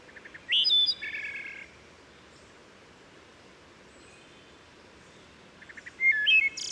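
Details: Wood Thrush singing beside Herring Run stream, Susquehanna State Park near Havre de Grace, Maryland; steep forested stream adds gentle reverberation. Two phrases, each with soft low introductory notes, a clear fluted whistle, then a buzzy trill; quiet pause between.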